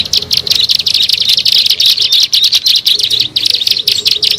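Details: Ciblek sawah, the bar-winged prinia, in a lure recording for attracting birds: dense, rapid, high-pitched buzzy chatter running nonstop with a slightly rasping, pulsing rhythm.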